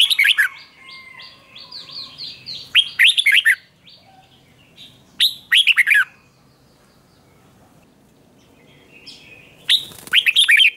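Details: Red-whiskered bulbul in contest singing, delivering short bursts of bright, warbling whistled phrases separated by pauses of a few seconds, with a softer trill of other notes early on and quiet gaps between bursts.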